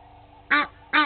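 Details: Egyptian geese at Gowrie dam waterhole, Djuma Game Reserve, Sabi Sand, South Africa, during a fight between two families: two loud harsh honks half a second apart, each a rich stacked burst, over steady low hum.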